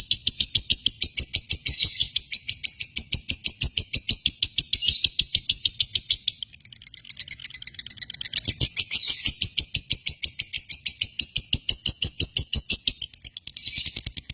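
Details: Lovebird from Indonesia in the josan singing style: rapid, evenly spaced chattering pulses about three per second over a steady high ringing tone, running in long bursts with short breaks near six and thirteen seconds.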